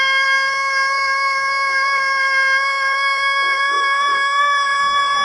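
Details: Long crow of a Pelung rooster, an odd yet drawn-out call: one loud, even, ringing tone with rich overtones, sustained without a break through the whole stretch, its pitch barely wavering.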